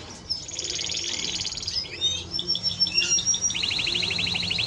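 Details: Timbrado Español canary opening with a rich fast trill, sliding into whistled swoops and chirps, and ending on a rapid rolling pulsed phrase.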